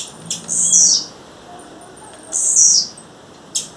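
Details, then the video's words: Calling in the wild, a female blue-black grassquit gives two long, high, sizzling notes that fall at the end, spaced about two seconds apart, then a short sharp tick. "Tiziu fêmea, fêmea de tiziu chamando na natureza"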